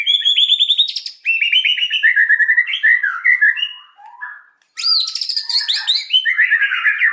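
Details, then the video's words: White-rumped shama singing loudly and energetically, a rich rapid mix of trills, whistled slurs and chattering phrases, with a short pause before another burst of varied high notes. "GACOR NEMBAK RAPAT"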